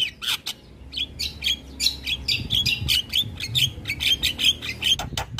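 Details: Asian pied starling singing to provoke neighbouring starlings, pouring out a fast string of harsh chattering bursts and whistled notes in near-continuous rhythm, with low background hum.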